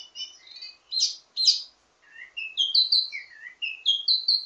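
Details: An Indonesian wambi mini gives a varied ledekan teasing song used as a master for training birds of its kind: buzzy high bursts, then a series of clear whistled notes stepping up and down in quick succession.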